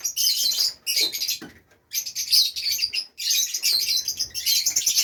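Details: Fischer's lovebirds kept as pets in Safi, Morocco, with nests, giving dense high-pitched chattering and shrill chirps in bursts, broken by two short pauses.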